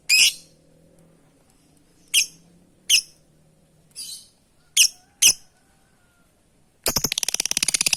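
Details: Lovebird calling companions with scattered shrill chips and shrieks at irregular gaps, a faint low hum beneath, finishing in a fast burst of rapid harsh pulsed notes.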